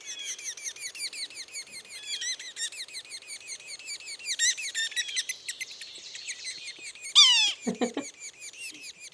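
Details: Young Yellow-bellied Sapsuckers giving a continuous peep series while begging, with an adult's mew call in the recording: dense high squeaky peeps repeated rapidly throughout, a louder harsh descending mew near seven seconds, then a few lower notes.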